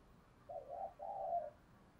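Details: Spotted dove kept as a decoy, cooing to attract wild doves quickly. The phrase is a low, mellow two-part coo: a short wavering note, a brief gap, then a longer, smooth drawn-out coo, against quiet background.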